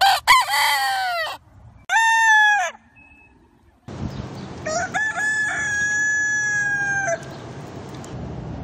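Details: Rooster crowing. Two loud, ringing crows come close together. After a pause, a longer, drawn-out crow follows over a steady background hiss.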